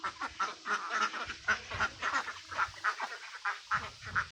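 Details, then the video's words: Duck, part of a mixed group of mandarin ducks, mallards and Pekin ducks, quacking in a steady string: short nasal quacks repeat about twice a second, slightly uneven, with faint low rumbling underneath. "Ducks Quacking"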